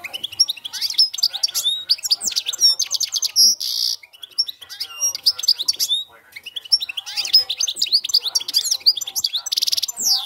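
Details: European goldfinch singing in the cante campero style: rapid, high twittering made of liquid chirps, quick trills and brief buzzy notes, nearly continuous, with short breaks near four and six seconds.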